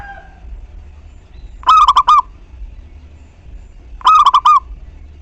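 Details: Zebra dove of local stock singing to spur other doves to call: two clipped, rolling phrases of rapid hollow coos, nearly three seconds apart, with a faint thin whistle at the very start.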